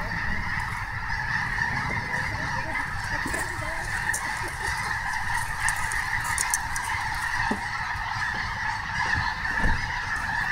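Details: Snow goose flock at Snohomish, thick overlapping honking held at a steady level, occasional louder single calls near the end, low-pitched rumble beneath.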